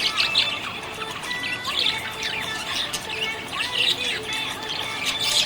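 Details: Happy budgie chirping: bursts of squawky, warbled chirps come in clusters about every two seconds over steady tonal music.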